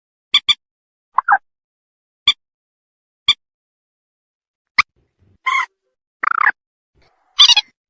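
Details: Slaty-breasted rail calling to its companions, played as a bird-netting lure. Crisp paired ticks and single clicks spaced about a second apart give way to rasping, nasal squawks near the end. No other sounds.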